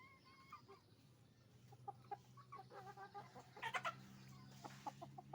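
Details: Roosters and hens making noise at a chicken farm: a steady low hum at first, then a run of clucks building to a loud burst of squawking, followed by sharp single clucks.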